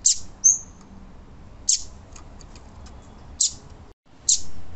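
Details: A female Yellow-bellied Seedeater gives its female call, used to excite males. It makes short, very high, thin chips about every second and a half, with one brief whistled note early on, over faint background hiss.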